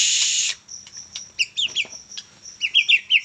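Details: Young Medan white-rumped shama song: a half-second burst of hiss opens, then scattered high chips and a quick set of descending two-note whistles repeated four times.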